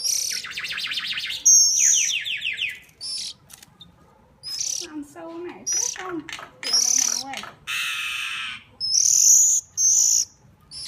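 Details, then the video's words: Hungry bird begging while being hand-fed: harsh, buzzy, high-pitched calls in bursts, some rasping and some thin whistled, with brief lower sliding sounds between them. "Hungry bird"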